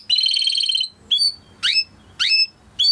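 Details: Timbrado canary training song: a buzzy high trill for almost a second, followed by three short separated sweeping calls with gaps between them.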